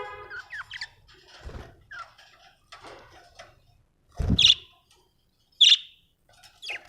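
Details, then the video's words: Happy budgerigar chattering: soft scratchy twitters and short rising notes, then two loud, sharp high chirps about a second apart, the first with a low thump, and a fainter chirp at the end. "happy budgie chirping sound"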